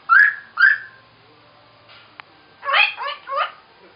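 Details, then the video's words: Hill myna vocalizing, giving two short, clear, upward-slurred whistles, then a pause with a faint click, then a burst of three loud, throaty, slurred notes in quick succession. "Hill Mynah vocalizing"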